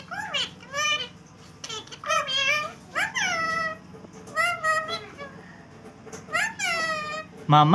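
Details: Green ringneck parakeet kept indoors as a pet, mimicking speech while quarrelling with a second bird; a series of voiced, drawn-out syllables with rising and falling tones, roughly six phrases over several seconds.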